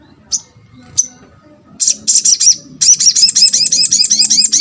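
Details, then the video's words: Lure recording of a sunbird (sogok ontong) for drawing responses from others: two thin high chips, then a fast series of bright, upward-sweeping whistled notes repeated about four times per second over a soft low hum. "MUDAH BIKIN SOGON ( sogok ontong ) LAIN BUNYI GAMPANG RESPON"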